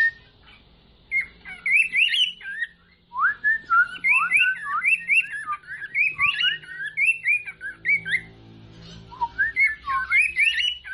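A cockatiel sings a rambling run of bright, warbling whistles that slide up and down.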